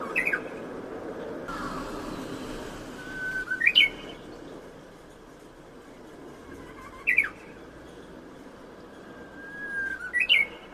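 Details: Spring song of a Japanese bush warbler, the hoo-hokekyo phrase, captured on a phone through a house window: three phrases, each a held whistle ending in a sharp, upward-flicking hokekyo, spaced several seconds apart over steady rumble.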